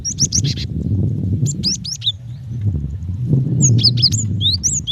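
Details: Calling female cinereous tit directed at the male: clusters of sharp, rising-then-falling high chirps, a quiet gap in the middle, low background rumble throughout.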